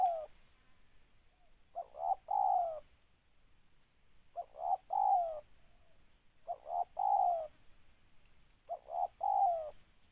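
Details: Spotted dove, local name tekukur, during bird catching with a decoy: four hoarse cooing phrases, each a few quick notes ending in a longer falling coo, spaced about two seconds apart with quiet gaps between.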